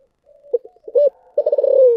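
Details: Thổ sấm voiced spotted dove: soft murmured lead-in notes, a strong rounded coo, then a fast pulsed rolling note that drifts steadily downward to the end.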